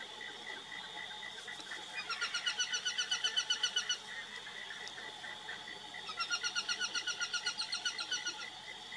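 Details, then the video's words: Aplomado falcon (Falco femoralis) gives two bursts of rapid, high, harsh kek notes, about six a second, over a steady insect hum. "CANTO do FALCÃO-DE-COLEIRA (FALCO FEMORALIS) APLOMADO FALCON, CAURÉ, GAVIÃO-DE-COLEIRA"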